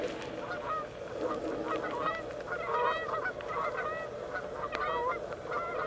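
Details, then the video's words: Two Canada geese fighting after about ten minutes tangled up, as three other geese and two loons come to separate them: loud, continuous agitated honking, overlapping nasal calls in quick bursts. "Canada geese fighting"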